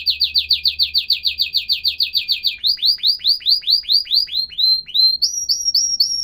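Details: Canary song: a quick string of identical swooping notes that slows into wider, drawn-out descending whistles, then finishes on short, higher, clipped notes. The recording is clear and quiet.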